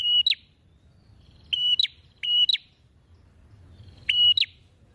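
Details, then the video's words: A prinia, called prenjak, in lively song with a wide-open beak. It gives isolated and paired whistled notes that each end in an abrupt rising chirp, with pauses of one to two seconds and low ambient noise. "PRENJAK GACOR BUKA PARUH LEBAR"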